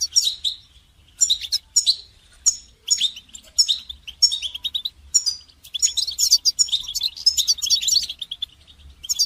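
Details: A goldfinch sings for songbird training, with sharp, high chirps spaced at first, then running into a continuous rapid, tinkling twitter with buzzy notes toward the end.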